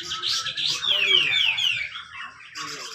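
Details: Competition grey-cheeked bulbul from Malinau, North Kalimantan, giving its tight song meant to prompt other birds. A jumble of bright notes leads into three clear, downward-sliding whistles, followed by a quieter warbled tail.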